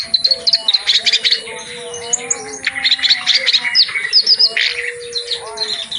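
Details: Energetic clamorous reed warbler song with a full range of phrases, intended as a tutor recording for other reed warblers. High, sharp chirps and squeaky whistles come in quick bursts over faint drawn-out lower tones.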